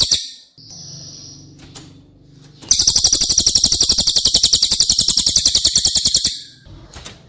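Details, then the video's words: Training song of the cililin for White-rumped shamas kept in cages: a steady whistled note with soft background hum, then a dense, very high trill of rapid repeated notes for about three and a half seconds. "Masteran CILILIN Materi Wajib untuk Burung Murai Batu anda!!"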